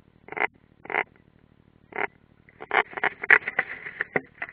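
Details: European rollers at a nest in Ādaži training ground, Latvia, 30 June 2016: quieter grating notes, first spaced singly then running into a faster jumbled rasping sequence, with a low background hum.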